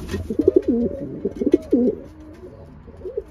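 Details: Racing pigeons being paired up; a run of low, rolling, throaty coos in quick succession, then softer, trailing coos in a small enclosed space.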